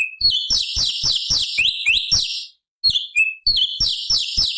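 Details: Cucak cungkok, or sooty-headed bulbul, recorded in the forest as high-octave training material for songbirds. Rapid, high, slurred whistles tumble in fast chattering runs, broken by one short pause before resuming.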